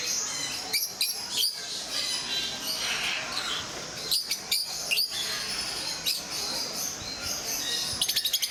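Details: Flock of rosy-faced lovebirds kept at Mysore Zoo, uttering short shrill chirps and squeaks in irregular clusters, with a quick rattling series of clicks at the very end.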